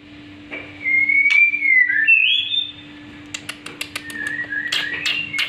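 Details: Black-winged myna learning to sing, giving a long slurred whistle that rises then dips, followed by a run of sharp clicks and short chirps, over a steady low hum.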